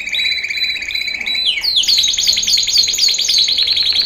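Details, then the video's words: Loud canary song used for training males: a steady whistled trill breaks into a sweeping downslurred note, then fast repeated chirping notes roll on at a brisk even pace. "Kanarya Eğitim Sesi Erkek / Kanarya Eğitim Ötüşü / Yüksek Kanarya Sesi"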